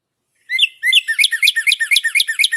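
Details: Male Northern Cardinal singing its classic spring song ("cheer-cheer-cheer") while patrolling the edges of its territory: two opening slurred whistles, then a fast run of clear, down-slurred notes, about nine per second. No other sounds.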